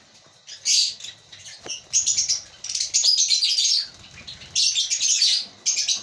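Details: Shrill, high chirping from African lovebirds in a breeding colony, arriving in several loud chattering bursts separated by short pauses, with occasional sharp clicks.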